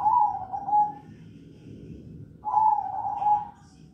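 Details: Zebra dove of the crossing song style, delivering two mellow cooing phrases around a second long, separated by a pause of about one and a half seconds, with soft low background rumble.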